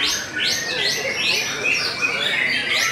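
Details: Steady singing from a white-rumped shama of the Belanda type, a bright cascade of repeated down-slurred high whistles and rich warbling phrases running without a break.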